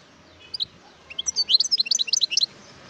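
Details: A wild European goldfinch opens with two separate chirps, then breaks into an excited run of high, tumbling twitters lasting about one and a half seconds, against a quiet background.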